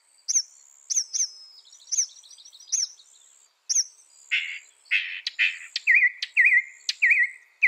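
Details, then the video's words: Northern mockingbird singing high, sharp chips at irregular intervals, then harsh raspy notes followed by repeated looping whistled phrases, loud and varied. "Mockingbird Bird Sound"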